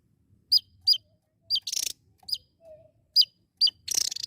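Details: Javan tesia singing: short, very high, sharply down-slurred whistled notes spaced roughly half a second apart, broken by brief dry buzzy rattling bursts, with a faint low hum underneath.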